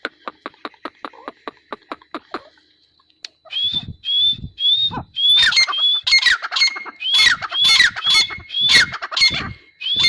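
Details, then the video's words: A grey francolin gives a loud, ringing series of clear whistled notes mixed with harsh bursts, repeated roughly twice a second. Quieter rhythmic clicking notes come before it. "Teetar awaz | Teetar Voice | Teetar sound | Grey Francolin Teetar sound"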